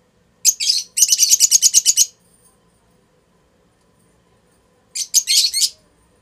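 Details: Strongly bonded adult pair of lutino Fischer's lovebirds mating in their house, giving rapid high chattering chirps in a fast burst of about a dozen notes, a pause of nearly three seconds, then a shorter burst.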